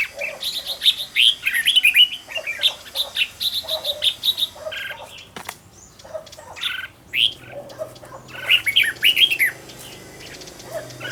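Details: Red-whiskered bulbul, a decoy bird trained for a fast, fiery song; lively chirping phrases in two main bouts separated by a quieter stretch of softer notes and a sharp click, with lower warbling throughout.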